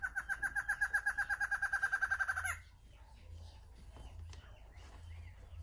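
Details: Barred antshrike, a male and female pair, singing close up during a tail-shaking display: a fast, even series of about sixteen nasal notes over two and a half seconds that stops abruptly, followed by quiet with a faint low rumble.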